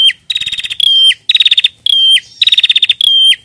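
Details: Female bar-winged prinia calling toward the male in steady cycles: a fast stuttering buzzy trill, then a held whistle that drops off at the end, repeated roughly every second.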